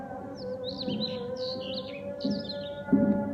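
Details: A bird sings at dawn during the Fajr prayer. It gives quick runs of high, swooping whistled notes, several short phrases in a row, over a steady, droning chanted voice of the prayer underneath.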